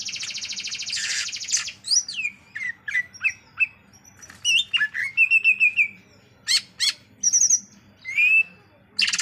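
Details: Greater green leafbird song: a harsh buzzy opening burst, then a varied run of clear whistles, sliding slurs and short chips, loud and lively with quiet gaps between phrases.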